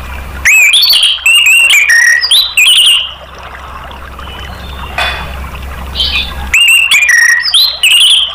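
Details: Lure song of an orange-headed thrush, meant to get other caged birds singing. Rapid clear whistles and quick up-and-down slurred notes come in a dense opening burst. A soft murmuring lull follows, then the varied phrases return.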